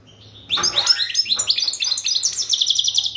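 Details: Goldfinch song of the кокил песса type: a quick jumble of high tinkling chirps and slurred notes, rising into a rapid repeated twitter, with a low hum underneath.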